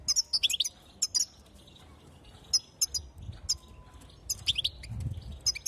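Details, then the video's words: Female goldfinch (European) calling to excite and prepare males: a quick cluster of sharp twittered notes at the start, then sparser single high chips and another brief flurry. "ستسته أنثى الحسون ستوقظ النار في الحسون | ستسته لتهييج الحسون وتجهيز الذكور"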